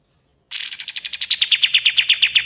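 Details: Common iora in loud 'gacor dor' master song for training birds, a fast pulsing trill of about 18 sharp high notes, starting higher and gently descending, with a faint low hum beneath.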